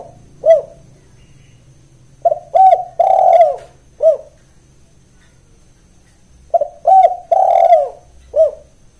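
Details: Spotted dove calling steadily in 'kuk 1' lure style: a lone short coo, then two complete phrases of short note, mellow coos, long falling coo and clipped ending, separated by a few seconds.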